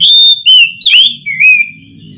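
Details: Oriental magpie-robin singing at night, giving several strong whistled notes, some level and some swooping, then fading into a quiet low hum.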